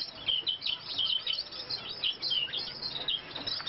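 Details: Long-tailed rosefinch during nest building, giving thin, high chirps, short notes repeated every half second or so, over a faint steady hiss.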